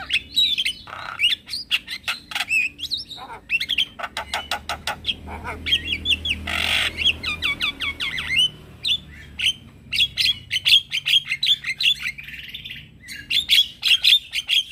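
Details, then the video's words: Male Javan myna calling to lure other mynas and starlings into answering. Long trains of rapid clicks and chattering notes alternate with short whistles, and a brief noisy burst sounds midway. "Semua Jenis Burung Jalak Akan Langsung Nyaut dengar Pancingan Jalak Kebo Jantan"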